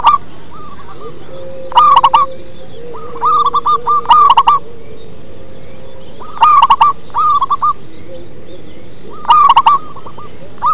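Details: Local zebra dove singing in a deep, bass style: loud bursts of rapid, stuttering coos repeated every few seconds, with fainter similar phrases from other doves between them and a low steady hum underneath.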